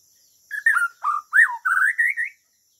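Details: A Bornean shama (murai) gives melodious 2021 song: a quick run of loud, clear whistled notes, some swooping up then down, others rising in pitch, packed into about two seconds with short gaps, against a quiet background.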